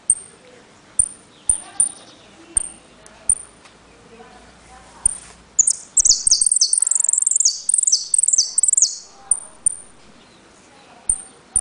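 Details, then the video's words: Jilguero, or saffron finch, recorded in Trenque Lauquen, 'El Correntino' song with repique, golpe and pitadas: high thin whistles at uneven intervals, then a burst of fast, bright descending trilled notes, returning to spaced whistles. "JILGUERO AUDIO "EL CORRENTINO" ( repique, golpe y pitadas)"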